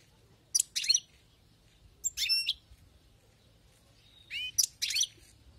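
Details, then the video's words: Wild-caught European goldfinch singing: short bursts of bright, twittering, buzzy notes in three separated phrases, each under half a second, with quiet gaps between and a faint low hum underneath. "أسمع وركز على المقنين الخلوي كيف يغرد"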